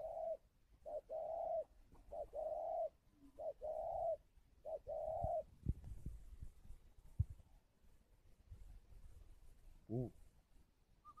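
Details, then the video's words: Calling coos of a spotted dove from a Ba Vì, Hanoi bird farm in Vietnam: a run of paired short and long hollow notes for about five seconds, then quiet rustling, knocks and a brief human sound. "Gáy gọi"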